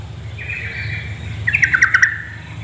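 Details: Female yellow-vented bulbul calling to lure males to sing: a thin drawn-out note, then a quick cluster of five or six sharp chirps, against a constant low background hum.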